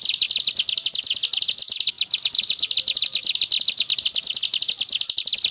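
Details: Brown prinia singing in the continuous ngebren style: a dense, unbroken run of rapid high buzzy chirps, about fifteen per second. One brief gap near the second mark. No other sounds stand out.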